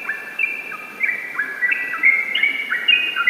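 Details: Rapid ropel song of a yellow-vented bulbul, chains of bright whistles jumping between pitches, roughly two and a half notes per second, steady and unbroken.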